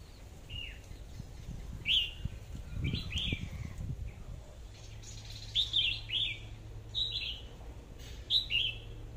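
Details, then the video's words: Decoy red-whiskered bulbul with an AK-style voice sings a lively series of short, bright, slurred whistled phrases, repeated roughly every second, with some low thumping noises early on. "tiếng hót chim chào mào mồi/sâu đầu đỏ cọp giọng AK"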